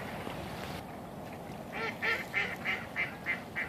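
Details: Mallard on a Canadian shoreline in winter, giving a run of about seven nasal quacks, roughly three per second, over a steady rushing background of wind or water.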